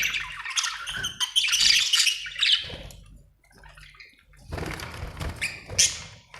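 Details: Happy budgies chirp in loud scratchy warbled bursts, then fall into a quiet gap before resuming with clicks, squeaks and short chirps.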